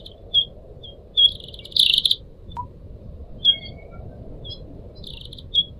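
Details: {'text': 'Pied Triller, one of four captive pet birds, in a selected training recording. Sharp high whistled notes come singly, with a short buzzy trilled burst near two seconds, over a steady low background murmur.'}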